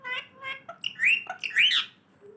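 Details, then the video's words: Assamese parrot talking in a cute voice, a string of short harmonic squawks and chirps with two loud rising-falling whistled syllables near the middle, quiet room between sounds. "assamese parrot talking//cute cute voice"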